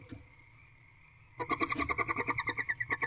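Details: Female barn owl eating a rodent inside a nest box at 10:12 pm, 26 February 2023; after a near-silent start, a steady run of rasping, evenly spaced pulses, roughly seven per second, continues to the end.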